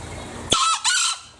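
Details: Green junglefowl from Bali giving one crow in an original recording: an abrupt onset, then two short, harsh, ringing syllables, the second slightly longer, with quiet background.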